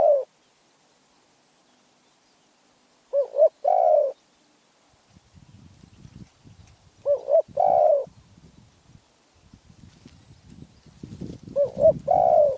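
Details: Spotted dove in Phrae, Thailand, repeating its phrase four times, about every four seconds: a quick two-part coo, then a drawn-out descending note. Low rustling and handling noise in the later part.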